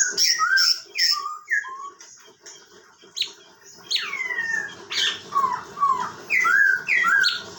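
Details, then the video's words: Tutor-bird Chinese bulbul from Bekasi Timur, Indonesia, delivering loud whistled phrases of falling and rising slurred notes, several in quick succession, separated by short gaps. "Cucak Cungkok || Burung Masteran atau Guru Vokal yang Handall!!"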